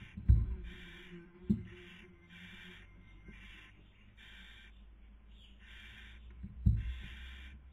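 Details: Barn owl at a nest webcam in Cabañeros National Park, Castilla-La Mancha, Spain, during the 2020 breeding season, female feeding while the male tries to sleep; rasping hiss bursts repeat about every 0.7 seconds, with a few dull thumps.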